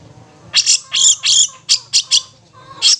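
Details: Long-tailed shrike in ngetet style song, played as therapy to stir stressed or silent shrikes: loud harsh rasping bursts, about seven short notes in three seconds, separated by brief pauses, over faint low hum.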